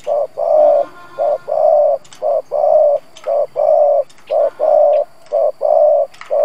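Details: Gù cooing by a lure spotted dove aimed at wild doves: low short and long notes alternating steadily about once a second, with occasional light clicks in the background.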